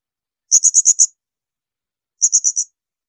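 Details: High, piercing 'tembakan melengking' bursts from a blue-crowned hanging parrot, meant for training songbirds: a run of five sharp notes, a second-long pause, then four more, in a silent background.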